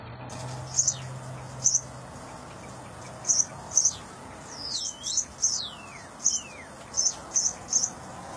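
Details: Cockatiel, a mother feeding her chick: short high chirps repeated at irregular intervals, with a few downward-sliding whistled notes in the middle and a low steady hum at the start.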